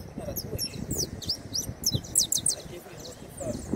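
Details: A saffron finch pours out a dense run of high, thin chirps and downslurred notes, tightly packed for about three seconds, against a background of low voices and handling noise.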